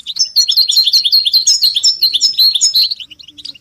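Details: A group of caged European goldfinches giving mating and readiness calls meant to rouse males from silence into song. Rapid, overlapping tinkling twitters stream steadily for about three seconds, then thin to a few scattered chirps.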